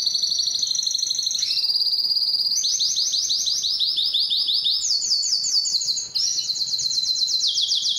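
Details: Canary song to arouse hens for breeding, made of a chain of fast trills and rolling tours, each phrase a few seconds long and set at a different pitch, with one short break.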